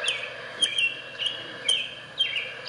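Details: A recording of an American Robin (a thrush) played back during a talk: clear, pure, high whistled notes in short bursts about every half second to second, over a steady hiss of room noise.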